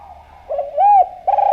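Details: Javanese spotted dove in full voice, used to coax other doves into calling: a low murmured lead-in, a bright arched coo, then the start of a second coo, crisp and near.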